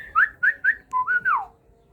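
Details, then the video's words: White-rumped Shama of the Aceh type, bred in captivity, with a parent feeding the chicks; three short upslurred whistles, then a low note and a longer whistle that slides downward, all within two seconds. "Budidaya murai Batu Aceh sedang memberikan makan anak nya."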